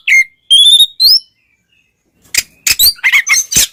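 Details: White-rumped shama singing to provoke other shamas: three clear rising whistled notes, a pause of over a second, then a burst of sharp chattering notes and short whistles.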